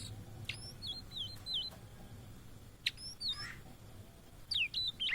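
Blue-and-white flycatcher singing clear, high whistled phrases with sharp slurred and falling notes, delivered in quick bursts over a faint low hum.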